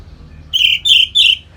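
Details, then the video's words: Orange-headed thrush, ngeplong song meant to provoke breeding excitement in birds: three loud, clear whistled notes, each slightly higher or flatter than the last, delivered in quick succession after a short silence. "Suara Ngeplong ANIS MERAH Gacor Memancing Burung Agar Birahi dan Lanjut ke Tahap Teler"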